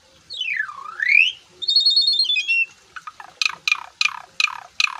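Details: Asian pied starling in lively gacor song full of isian phrases while mompa puffing: a loud whistle sweeping down then up, a rattly high trill, then a run of harsh descending buzzy notes about every third of a second.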